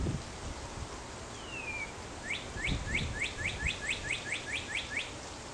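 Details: Chickadee chick begging while a parent feeds it, with a cowbird chick sharing the nest; a long descending thin whistle, then a quick series of about twelve sharp, upswept chirps at an even, rapid pace.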